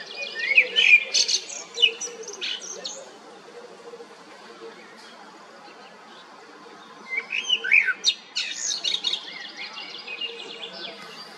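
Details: Common blackbird singing two phrases about five seconds apart, each opening with low fluty whistled notes and ending in a high, squeaky twittering flourish, with a quiet gap between them.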